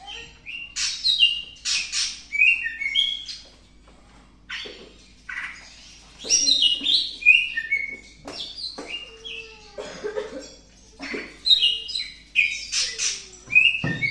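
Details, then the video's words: Greater green leafbird in breeding condition, still seeking to mate, pouring out a lively jumble of whistles, chirps and warbled phrases in clustered bursts, including a few rising slurred notes, with brief quiet spells. "Cucak Hijau masih minta kawin"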